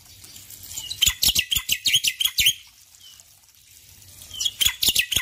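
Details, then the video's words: Male Black-winged Myna chattering vigorously in the morning, a rapid string of about twelve harsh, high chirps, a brief lull with one faint whistle, then another loud burst of chirping. "Jalak Putih Jantan Gacor Pagi Hari"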